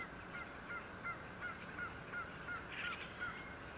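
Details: Bald eagle at its nest 57 feet off the ground at Fort St. Vrain, 14 April 2024: a run of about nine short, down-slurred piping notes, evenly spaced roughly three per second, over a steady hum and background noise.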